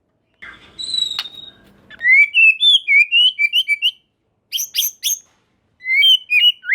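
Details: White-rumped shama song for provoking a reply from other shamas: a faint high whistle over soft background hum, then rapid bright warbled whistles, short snapping bursts and further slurred phrases.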